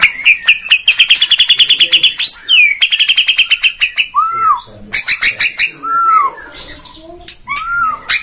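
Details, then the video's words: Bornean white-rumped shama song as a lure to provoke singing: a long rapid high trill of stuttering notes, then separate clear downslurred whistles interleaved with sharp high clicks and chips. "PANCINGAN MURAI BORNEO BONGKAR ISIAN"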